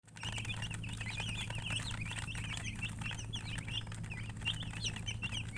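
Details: Baby chicken chicks chirping as a crowd: dense, overlapping short high peeps, each a quick rising or falling flick, pouring out almost nonstop under a steady low mechanical hum.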